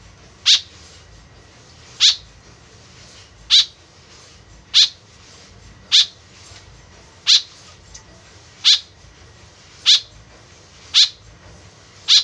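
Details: White-breasted woodswallow calling actively, a sound used as a lure for the species: nine short, harsh, buzzy notes spaced about one to one and a half seconds apart over a faint steady hiss.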